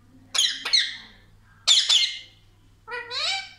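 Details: Talking Indian ringneck parrot, said to say 'mummy papa', gives two harsh, noisy squawk bursts and then a smoother rising, harmonic, voice-like note.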